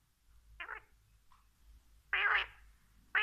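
A male quail gives harsh, buzzy, nasal calls: a short burst, a longer louder one about a second and a half later, then the start of another.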